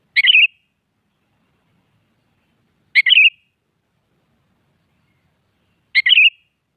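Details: Sooty-headed bulbul singing in the morning, as if challenging a rival: three short, bubbly, mid-pitched phrases, one about every three seconds, with quiet gaps between.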